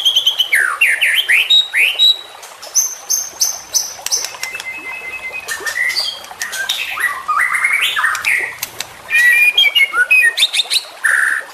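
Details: Varied, rapid phrases from a young champion white-rumped shama on a training recording: swooping whistles, sharp clicks, chattering bursts and a final loud, low-pitched whistled note.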